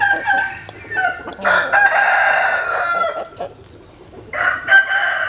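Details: Roosters sunning in the morning at dawn, crowing; a harsh, drawn-out crow with overlapping calls from several birds and clucking between crows.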